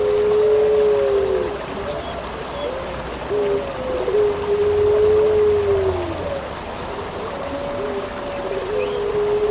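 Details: Pelung puter, or Eurasian collared dove, recorded for bird keepers: drawn-out, level, hooting coos of about two seconds, separated by short lower notes, with a steady low hum and a faint high whine behind.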